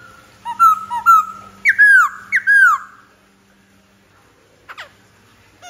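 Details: Black-throated laughingthrush singing: clear whistled notes, several downslurred and arched whistles around two seconds in, then a pause and a faint high note near the end.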